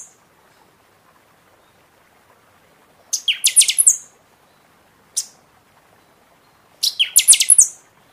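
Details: Buffy-fronted seedeater (Sporophila frontalis) singing a lot during the season after its moult: two bright, high phrases of rapid ringing notes about a second long, a lone sharp note between them, quiet background.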